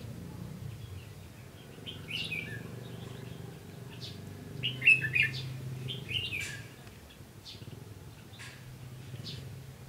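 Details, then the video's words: Red-whiskered bulbul used as a lure in a fighting trap, recorded 15 June 2016 in Vietnam; short warbled phrases in bursts between two and six seconds, loudest near five seconds, with a steady low hum throughout. "Bẫy đấu chim chào mào"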